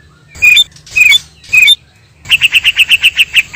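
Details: White-rumped shama, male and female, natural song used as a lure to draw a reply from birds: three harsh, scratchy bursts, then a fast series of about ten sharp, evenly repeated notes.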